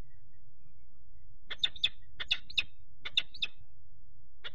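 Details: Peregrine falcons at a nest box on 4 April 2008, a third falcon attacking the male standing on the grate while the female keeps incubating. Harsh, rasping notes come in three quick bursts of two to four calls each over a low steady hum.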